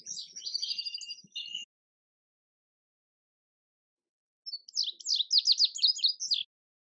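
Indigo bunting singing two bright, high phrases of paired, buzzy notes, each about one and a half to two seconds long, separated by a pause.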